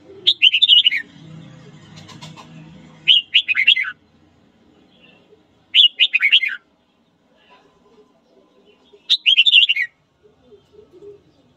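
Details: Red-whiskered bulbul singing its morning song, meant to spur fighting, gives four short chattering warbles spaced roughly every three seconds, each sliding downward. A low murmur and faint whistles sit underneath.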